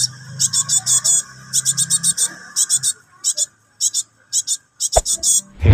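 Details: Cinereous tit chick begging, calling its parent; used as training audio to provoke other caged birds into singing. Rapid bursts of harsh, high, buzzy chatter in quick runs separated by short pauses, over a low background hum and faint music.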